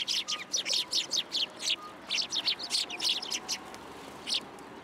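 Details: Sparrows visiting a post for food at a Tenmangu shrine alongside white pigeons, recorded 27 January 2023; rapid series of high, clipped chirps, about a dozen in quick succession, then a pause and one last chirp.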